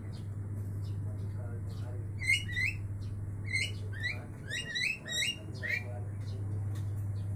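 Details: Javan mynas singing back and forth to each other: bursts of short, harsh, rising chirps with rich overtones, grouped in the middle of the recording, over a steady low electrical hum.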